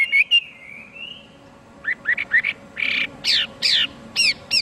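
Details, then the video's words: Chinese hwamei singing: a long wavering whistle at the start, then a pause, then a run of short rising notes and several harsher, rasping bursts spaced about every half second. "Chim hoa mi hot cuc dinh - Extreme nightingale sings"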